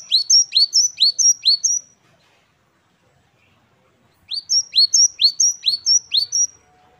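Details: Gelatik batu wingko (great tit) singing energetically, 'wucit-wucit kristal' style: two strings of five or six crisp, high-pitched two-part notes at a steady rapid pace, separated by about two seconds of silence.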